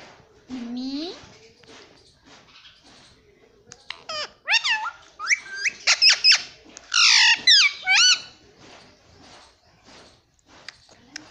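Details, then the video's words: Pet talking parrot at home: a low drawn-out murmur, then rapid squeaky chirps and several loud harmonic squawks in quick succession, gaps of near silence between, indoors. "बोलने वाला प्यारा मिट्ठू - (・ᴥ・ ) - talking parrot"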